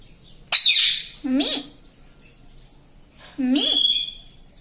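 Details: Pet talking parrot, said to say "mummy": a harsh opening squawk, then two speech-like syllables with swooping harmonic pitch, separated by a pause, indoors.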